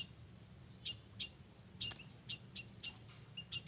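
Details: White-headed munia calls from a garden, recorded to attract birds: a run of clipped, high, tinny peeps about every third of a second, fairly even in pitch, over quiet background noise.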